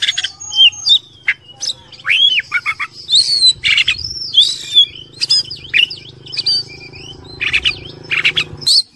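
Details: Oriental magpie-robin (kacer) in fighter style, used as a training song: a fast, varied run of loud whistled notes, sharp upslurs and downslurred chirps, with quick buzzy bursts between the phrases.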